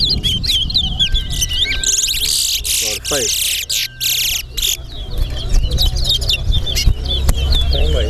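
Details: Competing towa towa birds at an Alligator Pond singing race pour out quick high chirps and sweet twittering phrases. A man counts aloud, and other voices and a low hum carry on throughout.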